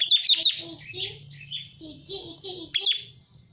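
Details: Bar-winged prinia lure call: sharp high chips and twittering notes, with sweeping squeaky phrases and a short burst of chips near the end. Low murmuring sounds run beneath.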